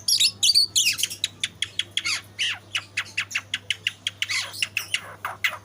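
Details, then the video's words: Caged young white-rumped shama, eight months old, sings a rapid run of sharp high notes, a few whistled phrases opening into a steady stream of brief clicking chips about three per second, with a low steady hum beneath. "Burung Murai"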